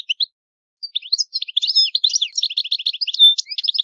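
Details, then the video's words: A European goldfinch from Italy performs the old-style 'vecchio canto': a couple of isolated chirps, then a continuous, hurried stream of high tinkling, buzzy twitters with a brief pure whistled note near the end. "Il canto del cardellino italiano ,il vecchia canto"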